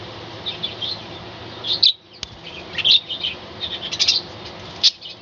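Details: Morning chatter from a caged budgerigar colony on a balcony: scattered high chirps and short warbling phrases, uneven in timing, with a brief soft flutter-like noise between calls.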